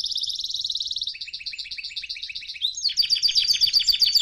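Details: ['Song of a canary meant for teaching young canaries: a quick high trill, then a lower, evenly pulsed tour, followed by a brighter series of sharp repeated chirps, all in fast succession.']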